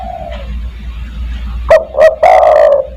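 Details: Spotted dove cooing in the 'kuk 1' style to call other doves: a faint falling coo, then a loud phrase of two quick clipped notes and a long, slightly descending coo.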